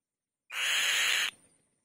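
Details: A female white-tailed kite on her nest gives one loud, harsh, raspy screech lasting under a second, then a faint high ringing tone trails off.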